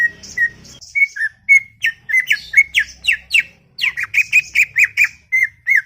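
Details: Chattering greater green leafbird, called cucak ijo, recorded in a garden. It gives a rapid, continuous run of loud chirped and whistled notes, many sliding down, several per second, with a faint low rumble behind.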